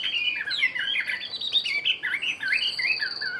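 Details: One-year caged Chinese hwamei sings a short burst of loud, varied whistles and harsh warbled notes in quick succession, with a constant faint high-pitched tone behind.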